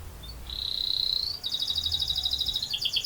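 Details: Canary singing actively in a long rolling song: a long, steady, slightly rising whistle breaks into a fast, even rolling trill that runs to the end, with a few sharper notes at the close.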